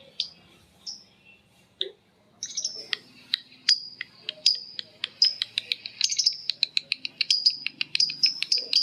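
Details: Lovebirds answering one another in long ngekek chatter: scattered sharp high chips, then from about two and a half seconds a dense run of rapid shrill notes with brief buzzy bursts.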